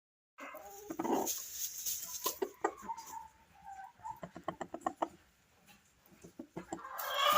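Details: Silkie rooster calling from inside a nesting box: soft low clucks and murmurs, then a rapid run of short, evenly spaced clucking pulses, with quieter rustling gaps between.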